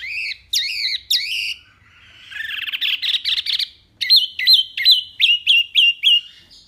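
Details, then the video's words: Loud, varied Hwamei song used as tutor material for songbirds: a few rising whistled notes, a rough buzzy stretch, then a brisk run of repeated upslurred chirps. "BURUNG WAMBI MINI GACOR SUARA BANYAK LANTANG JERNIH"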